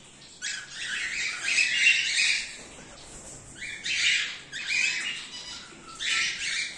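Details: Cockatiel breeding colony, cream face ino and normal grey birds, season 2024/2025. Harsh, high squawks and chirps in repeated bursts of about a second, separated by short quieter spells of background chatter.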